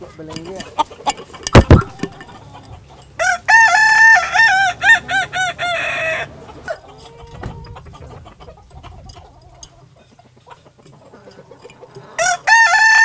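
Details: A Kokok Balenggek rooster from a West Sumatra breeder gives a long, melodious crow of many quick, tiered syllables.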